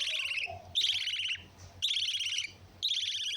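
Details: Lovebirds chattering in harsh, high, grating bursts, four rapid noisy outbursts each lasting about half a second, separated by short quieter gaps.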